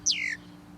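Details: A male Red-winged Blackbird gives one version of its alarm whistle, which warns other birds of predators nearby: a single thin, high whistle sliding steeply downward in under half a second, over a faint low hum.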